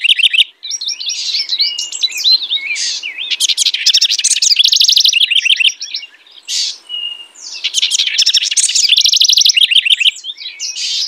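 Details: A house wren sings almost nonstop: jumbled, gurgling notes and rapid rattling trills cascade in long bubbly phrases, with a short quiet gap midway before the singing resumes.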